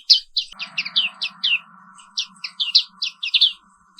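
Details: Indonesian black-capped white-eye singing a morning therapy song in rolling style, a string of bright, evenly spaced chirps, a brief gap mid-way, over a constant electrical-like hum.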